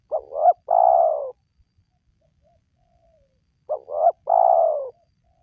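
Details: Spotted dove call used to lure wild doves to call: two phrases about three and a half seconds apart, each a pair of short rising notes followed by a long, steadily falling coo, with no background sounds.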